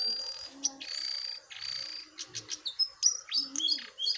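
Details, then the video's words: Wild and caged jongkangan face off in a singing duel: sustained high buzzy notes alternate with sharp chirps and quick upward-flicked whistles, with a few brief low murmurs. "Adu Gacor Jongkangan Liar VS Jongkangan Sangkar"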